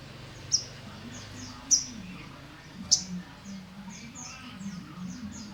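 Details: Olive-backed sunbird (sogon trotol) with sharp, very high chips about every second, interspersed with soft, thin downslurred whistles, against a constant low background hum.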